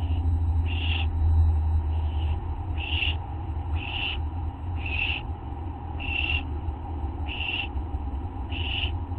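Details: Begging calls of barn owl owlets receiving food at 5:59 AM, August 15, 2011; rhythmic breathy hisses repeated roughly every second, nine bursts in all, evenly loud, with a persistent low drone in the background.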